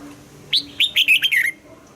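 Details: Red-whiskered bulbul, trained for morning singing, gives a single lively whistled phrase of five or six slurred, bouncy notes that rise then drop, in the double-note style of an old forest bird.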